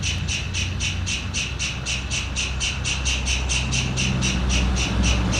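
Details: A White-throated Kingfisher (Halcyon smyrnensis) gives a steady, harsh chattering series of high notes, about four each second, over a low background rumble like distant traffic. Finding: White-throated kingfisher.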